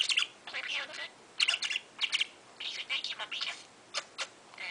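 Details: Young male pet parakeet talking nonstop in the morning: rapid chattering bursts of scratchy, speech-like syllables, some with clear chirped notes, coming in quick clusters separated by short pauses.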